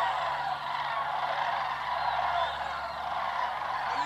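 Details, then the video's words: Sandhill cranes swirling and pairing in flight during migration toward winter grounds in the south, low and close; a thick mass of overlapping purring, trumpeted calls from many birds, swelling slightly midway. "Sandhill Crane Migration song"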